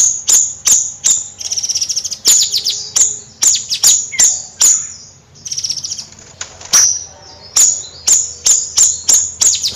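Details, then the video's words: Bayeman bird singing nyrecet: strings of sharp high ticks broken by short runs of fast, falling buzzy trills and a brief softer pause midway, then steady clicking resumes. "Suara Kicau Bayeman Nyrecet Gacor Kicau Bayeman Siri Siri...!!"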